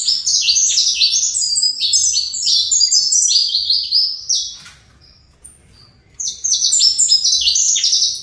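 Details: A captive saffron finch of fibra song style delivers quick, stacked high chirps for about four seconds, falls almost silent with a lone faint note, then resumes the busy chirping.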